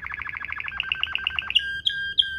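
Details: Waterslager canary tutor song in the ngerol rolling style: a quick bubbling trill that steps up in pitch, followed by three loud, clear, ringing whistled notes.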